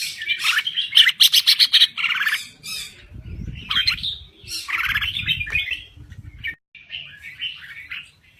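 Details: Thai red-whiskered bulbul in active song: rapid buzzy chatter at first, then warbled whistled phrases, over low rumbling noise in the middle stretch.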